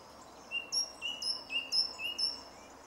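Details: Song thrush in a grove near Jarun, Zagreb, Croatia, 2 March 2016, repeating one short, bright whistled phrase about five times in quick succession, roughly every half second, with high overtones.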